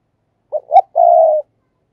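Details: Decoy spotted dove, a kept cage bird, calling thúc and gáy gọi: two short low hooting notes followed by a long steady drawn-out coo, one phrase on a silent background.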